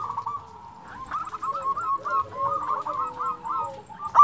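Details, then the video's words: Local Indonesian zebra dove, a frequent singer used as a lure to make rival doves answer, giving a run of about a dozen short, clipped cooing notes at even mid pitch after a quiet first second, with faint lower tones and a sharp knock at the end. "Perkutut lokal gacor suara merdu cocok untuk pancingan di jamin bikin lawan nyaut"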